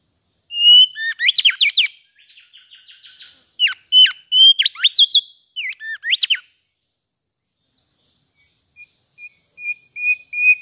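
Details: A mangrove whistler (Pachycephala cinerea) gives a rich run of clear whistles, sharp upslurred and downslurred notes and quick chirps for six seconds, then softer thin whistled notes.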